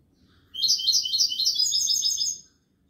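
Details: Goldfinch song of the kubiya malqa type: one burst of rapid, tinkling twitters about two seconds long, with stacked high notes and a faint low background hum.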